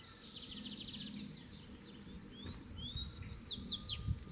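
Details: Double-collared seedeater, a wild bird coming to challenge a caged one, sings rapid buzzy twittered phrases of sharp rising and falling notes in the second half, after faint chatter, with low background rumble.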